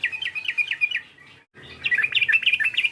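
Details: Sooty-headed bulbul calls used to provoke a rival: quick bubbling phrases of short, sharply inflected chirps in a mid-high register, broken by a brief silent gap before a second, denser burst.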